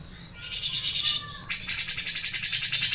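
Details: Cucak jenggot singing in the sharp 'mesin jahit' style. A buzzy, rattling passage with a short rising whistle leads into an evenly spaced train of high, penetrating chips.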